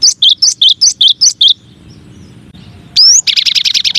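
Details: Cinereous tit (gelatik batu, gelatik wingko) singing a masteran variation: eight quick two-note phrases, high then lower, then a pause, a single rising whistled sweep and a fast buzzy trill.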